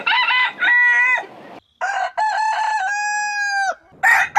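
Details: Rooster crowing in the morning, a loud, harmonic crow with drawn-out level notes, broken by a short pause, then a second long crow ending in a sustained held tone, followed by a brief further burst.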